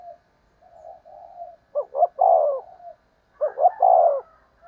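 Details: Spotted dove lure call aimed at drawing in wild birds: low soft coos leading into two quick notes and a longer descending coo, the phrase given twice.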